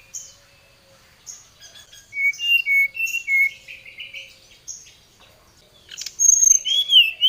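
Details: Brown-chested jungle flycatcher in agitated, vigorous song calling a rival: soft high chirps build into a fast run of mid-pitched whistled notes, then a loud closing burst of rising and falling whistles.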